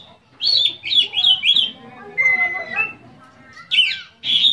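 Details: Caged Oriental magpie-robin in full mimicking song, played so other magpie-robins join in: a rapid run of bright chirped whistles, then a thin steady whistle and scratchy notes, ending with loud sweeping calls.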